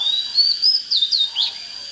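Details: Oriental magpie-robin giving a single loud phrase: a smooth upward whistle followed by rapid twisting notes and a short harsh burst, set against a faint steady high tone.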